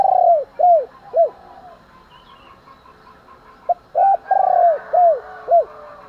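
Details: Spotted dove morning cooing used to provoke fighting: the tail of one phrase opens, then after a quiet stretch a complete phrase of a short note and four rounded, falling coos; faint bird chatter in the background.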